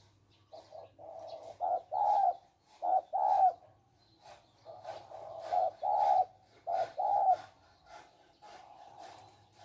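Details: Male spotted doves kept as decoy birds for trapping in Thailand; soft paired coos in several groups separated by gaps, with clicks and a low background hum.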